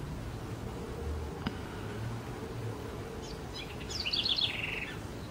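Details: House wren in Brazil: after scattered faint chips, one quick bubbling, chattering phrase near the end, slightly falling in pitch, over steady background hiss.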